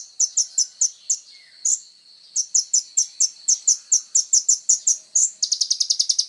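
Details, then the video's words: Kolibri ninja, the Van Hasselt's sunbird, singing hard as training material for songbirds: a steady string of very high, evenly spaced chirps with one short gap, ending in a fast rattling trill. "SUARA BURUNG KOLIBRI NINJA GACOR FULL TONJOLAN"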